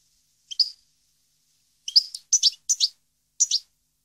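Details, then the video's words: European goldfinch at Parva, 2015: a sparse set of five short, sharp, doubled chirps spaced irregularly over about three seconds, with near silence between them. "Goldfinch song 2015/ Canto Jilguero Parva 2015"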